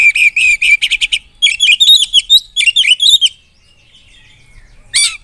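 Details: Oriental magpie-robin delivering a loud, busy song to rile rival birds: quick repeated chirps followed by a tumbling string of warbled, slurred notes, a brief quiet gap, then one final sharp note.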